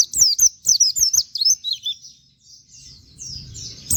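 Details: Plain flowerpecker (pleci) recorded as a tutor for training other songbirds, its sound likened to canary. A quick burst of high, thin downslurred notes that trails into softer twittering, then a low rumble of background noise.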